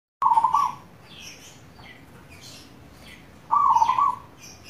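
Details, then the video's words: Local zebra dove (perkutut lokal) singing: two short bursts of rapid, fluttering coos, each about half a second, roughly three seconds apart. Faint chirps of other small birds sound in the background. "Pancingan ampuh perkutut lokal gacor"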